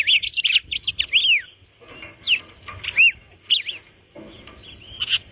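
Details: Red-crested cardinal song of clear whistled phrases, rapid notes sweeping down and up, delivered in quick clusters with short pauses, ending on a rising whistle; faint low background hum.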